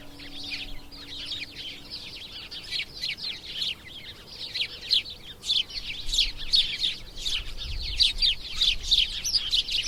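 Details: House sparrow calls start sparse and grow into loud, rapid, overlapping chirping from about halfway through, many short bright notes tumbling together.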